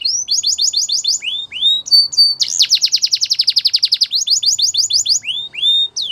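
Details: Canary song mixing quick downslurred whistles with a fast buzzy trill of rapid repeated notes, then more falling whistles; bright, high and continuous phrasing.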